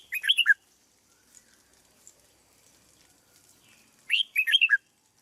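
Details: Red-whiskered bulbul kept in a cage for training repeats a short, loud, bubbling phrase of five or six warbled notes twice, about four seconds apart, with near silence between.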